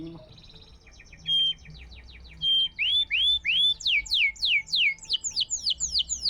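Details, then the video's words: Vigorous canary song used as a lure for canaries that have stopped singing; soft scratchy notes at first, then loud whistled rising and falling sweeps repeated about three per second. "Suara burung masteran kenari gacor"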